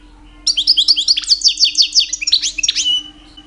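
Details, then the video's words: Caged two-year-old European goldfinch singing in mating season to attract females; silence, then a lively run of evenly spaced tinkling notes and sharp slurred twitters for about two and a half seconds. "My 2 years old Goldfinch song"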